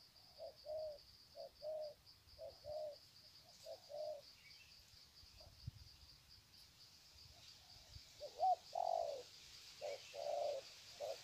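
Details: Spotted doves on the ground at Sê San, 21 February 2020, greeting each other with a long series of coos: fainter, low, hollow double notes in phrases, then a louder burst near the end, over a steady high insect whine.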